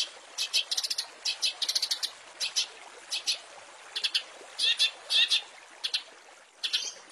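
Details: Long-tailed shrike master song for tutoring small songbirds: quick clusters of high, chattering notes in short bursts, repeated irregularly every half second or so against a constant hissing background.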